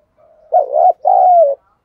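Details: Spotted dove decoy bird calling: one low two-part coo, a wavering note followed by a longer smooth falling coo, with no other sounds.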